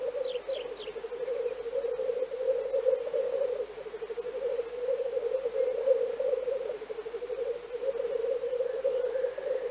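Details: Black grouse from Central Russia giving a continuous low bubbling, cooing murmur that rises and falls without pause for the full length, with a few faint high chirps from another bird near the start.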